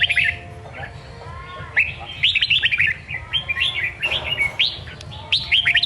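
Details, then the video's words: Red-whiskered bulbul singing in the songkon style: quick, bright whistled phrases with rising and falling slurs, delivered in bursts separated by short pauses, over a low steady background hum. "Chào mào hót giọng songkon cực hay"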